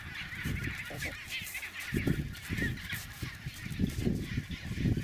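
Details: Chinstrap penguins walking a smooth snow path between the sea and the colony's nests; a run of short, coarse honking pulses repeats through the second half over a hissing background.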